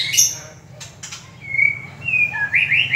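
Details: Ranong-type white-rumped shama from Thailand in song: soft chirps and clicks open, then a clear level whistle followed by a short low note and bright, twisting phrases, with a steady low hum beneath.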